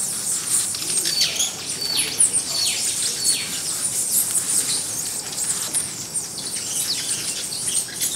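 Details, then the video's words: White-necked jacobin hummingbirds filmed at Buenaventura Reserve, Ecuador: thin, high chirps and short downslurred squeaks scattered irregularly over a steady high-pitched hiss of insects, with soft wing flutters. "White-necked Jacobin - Colibri jacobin"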